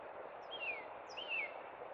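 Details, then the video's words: Northern cardinal singing in spring at Cub Run: two clear, downslurred whistled notes about half a second apart, each sweeping from high to lower pitch, over a steady rushing background hiss. "Northern Cardinal Song!"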